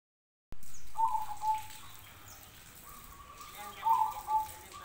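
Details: Zebra dove song answering other zebra doves: soft, clear whistled coos near one pitch, a short burst of notes early, then a pause, then another brief trilled phrase with a slight rise, over steady low background hum.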